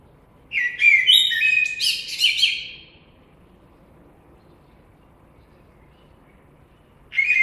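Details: Blackbird delivers a fluty whistled phrase ending in rapid squeaky high twittering, followed by about four seconds of quiet before another phrase starts.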